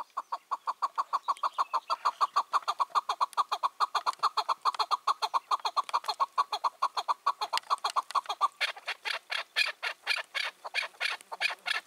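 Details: Evening recording from 4 June 2023 of a five- or six-year-old wild chukar that was once caught and set free: a long rapid train of even chuk notes for about eight seconds, breaking into brighter, harsher calls.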